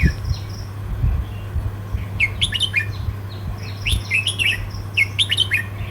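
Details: Red-whiskered bulbul of the southern 'counting flowers' song style, with attention to pattern and rhythm: after a quiet start, rapid phrases of clear, warbling, up-and-down notes repeat three times, over a constant low electrical-sounding hum.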